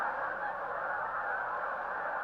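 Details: Large wintering flock of geese in Missouri, where bald eagles gather to feed on them at refuges, honks together in a dense, continuous din of nasal, overlapping calls with no pauses.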